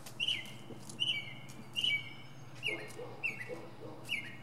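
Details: Northern mockingbird singing from the top of a pine tree: a repeated phrase of sharp whistled notes with a falling tail, given about every 0.8 seconds, over a low steady hum.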